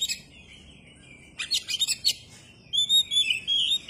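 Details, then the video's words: Oriental magpie-robin singing hard with its tail opened. A soft whistle leads into a dense cluster of scratchy, clicking notes, followed by loud, clear, rising and falling whistles. "kacer gacor dor ,kacer gacor buka ekor"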